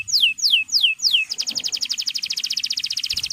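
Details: Male canary song for training young birds: four slow descending whistles followed by a rapid, steady, rattling trill of short high notes.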